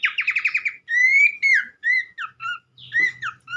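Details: Abbott's babbler producing a quick trill followed by separate drawn-out whistles that rise or fall, spaced by short pauses, with a faint low rumble. Meant to stimulate other birds into song.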